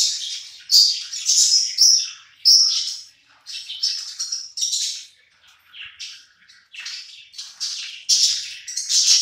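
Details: Hungry pet budgerigars gathered together while eating: a dense, continuous chatter of high, scratchy chirps and warbling squeaks from several birds, rising and falling in bursts with no pauses.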